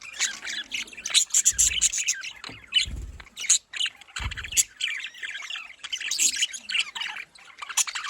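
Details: Pet budgerigars keep up scratchy chirping and shrill warbling, punctuated by a few dull low thuds between bursts.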